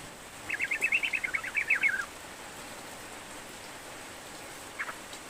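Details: Sooty-headed bulbul in lively full song, played as a lure to coax a reluctant bird into singing: a quick burst of bubbly, chattering notes for about a second and a half, then a few faint notes later over steady background hiss.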